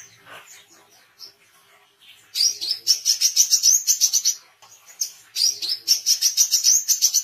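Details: An Oriental white-eye in full, lively song, used for training songbirds and attracting wild ones. After a faint start come two long, dense runs of rapid, piercing chirps, each run about a dozen notes.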